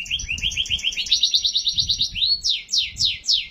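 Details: Atlantic canary in full song, played to lure other canaries into singing: rapid trilled rolls of repeated rising notes, then a sweeping climb into loud descending whistled slurs, faint low rumble behind.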